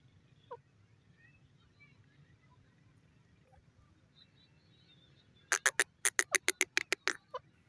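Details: Grey francolin in jungle: near silence with faint distant chirps, then a sudden burst of about ten loud, sharp, harsh notes in quick even succession before stopping.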